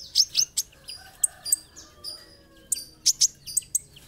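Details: Olive-backed sunbird, known locally as kolibri ninja, singing actively in a tutor recording for training birds: scattered piercing high chirps and short squeaky notes, some paired, with quiet gaps.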